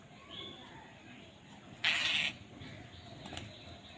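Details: One loud, rasping caw lasting about half a second from crows fighting for food, with a few faint high chirps before and after.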